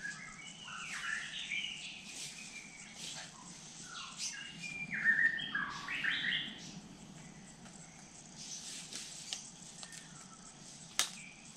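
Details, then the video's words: Black-naped monarch at a forest water pool in Kulen National Park, where birds come to drink: bright, high chirps and rising whistled notes in quick, irregular bursts, with other forest birds and a low steady hum. "The call of the Black-naped Monarch"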